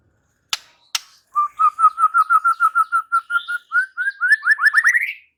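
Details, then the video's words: White-rumped shama (murai batu) singing loudly: after two sharp clicks, a fast run of about twenty whistled notes, steady at first, then climbing in pitch and speeding into a rising trill. "Seketika murai batu NYAUT GACOR dan BONGKAR Muatan dengan Kicau murai ini"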